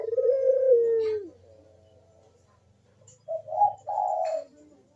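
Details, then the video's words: Barbary dove's lure coo in 'kuk deruk' style, for stimulating silent doves: a falling, drawn-out coo, a quiet gap, then two short, husky rising notes and a longer coo. A faint low hum is present. "KUK DERUK BURUNG PUTER GACOR MANGGUNG"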